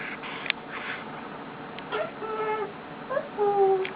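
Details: Male eclectus parrot, a pet resting on its owner, gives quiet clicks then steady flat whistled tones that grow louder toward the end, in a quiet room.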